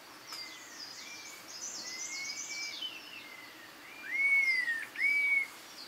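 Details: Red-tailed laughingthrush calling: a series of clear, arched whistles, each rising and then falling, growing louder with two strong notes near the end, while another bird gives thin, higher twittering in the background.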